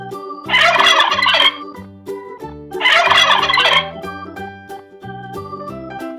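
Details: Turkey gobbling: two loud, rattling, bubbling bursts, each about a second long and a second and a half apart, over steady organ-like background music.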